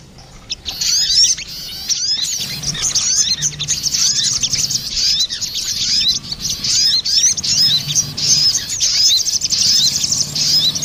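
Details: Female and male crested jay calling back and forth, used as a bird lure: after a brief quiet start, a continuous stream of sharp, high, twittering chirps and upslurred squeaks runs without a break.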